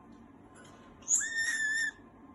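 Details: Content pet green-cheeked conure squealing: after near silence, one sudden, loud, even-pitched squeal with bright harmonics rings out for under a second and then stops.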